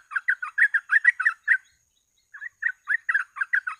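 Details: Sooty-headed bulbul in a lure recording used for catching birds, in the non-stop gacor ropel style: fast chattering notes about three per second, a brief pause near the middle, then the rapid run resumes.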